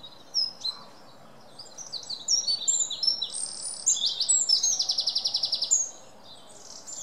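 A wren sings a loud, high-pitched burst of rapid notes and hard trills over about six seconds, with faint background noise.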